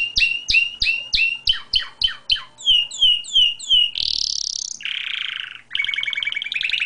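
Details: Male pet canary singing out of its cage, as it usually does: a fast series of about a dozen sharp, downslurred whistled notes, then a loud rising buzzy note, a lower rattling roll and quick high chirping phrases to finish.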